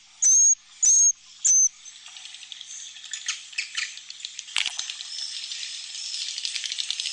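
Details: Swiftlet roosting-room sound, played inside a swiftlet house so the birds feel safe and sense a flock of chicks and adults nearby: three loud, clipped high whistled sweeps, then dense rapid high chirps and clicks building into continuous chatter.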